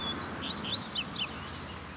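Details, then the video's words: Rusty-collared seedeater in the bush giving a rapid run of high whistled slurs and sharp downward-sweeping notes over steady background hiss. "Coleiro Braddock Solta o Canto no Mato!!!"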